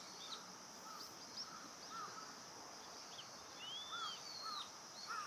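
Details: Indian pratincole on Amami Oshima, Japan, giving short arched notes, some higher and some lower, repeated unevenly about twice a second over a steady high insect hum.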